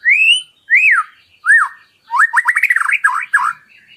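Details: White-rumped shama in filler song, used for tutoring: three slurred whistles that rise and fall, then a fast run of short trilled notes and a final rising whistle.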